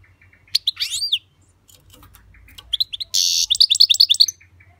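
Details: Twittering European goldfinch song: a few sliding, liquid notes, a pause with soft clicks, then a buzzy rasp followed by a fast series of sharp, high, tinkling chirps over a faint low hum.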